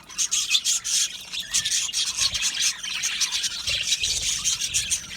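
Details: Aviary colony of budgies singing: many birds producing bursts of scratchy, high-pitched warbles and chirps, rising and falling in pulses roughly every half second, with little else audible.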